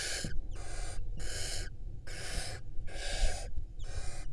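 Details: Nesting female barn owl in Israel, 2022 season. Six breathy, noisy screeches in a steady run, each about half a second long, are broken by short clean gaps, with low background rumble.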